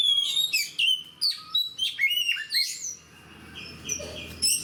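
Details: Oriental magpie-robin, a fighter-type bird in full song: loud, varied whistled phrases with sharp upslurred and downslurred notes, short trills and high squeaky elements in rapid bursts, brief pause near the middle, then a sustained whistled stretch.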